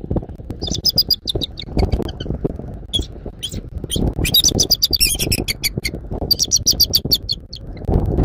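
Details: Bald eagle at a nest in Southwest Florida, recorded by a nest camera at 06:36 on 14 January 2024: bursts of high, thin, chittering notes in quick series, repeated several times over loud, constant low rumbling and rustling.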